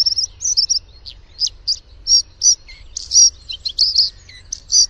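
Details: Bluethroat, a thrush-family bird, delivering a bright, varied song of high twitters, buzzy trills and sharp chipping notes in quick, irregular bursts.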